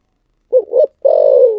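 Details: One complete 'thổ sấm' phrase of a spotted dove: a short hoot, a second rising hoot, a brief pause, then a long steady buzzy coo that sinks slightly at the end.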